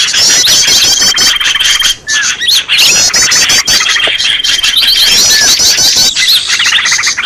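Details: Green leafbird noisy call used as a lure to attract birds: dense, overlapping chatter of sharp high chirps and rapid squeaky trills, with a long thin whistle running through, nonstop for the whole stretch.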